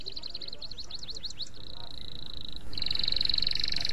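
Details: Canary master song meant for tutoring other canaries, opening with quick rising chirps, then a smooth sustained trill and a louder buzzy rolling trill, with steady low hum underneath.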